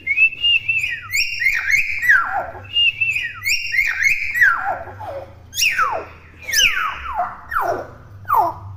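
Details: Young common hill myna, not yet moulted, chattering noisily indoors: repeated loud whistles that slide downward, some ringing high notes, delivered in quick bursts about every second with a low hum underneath.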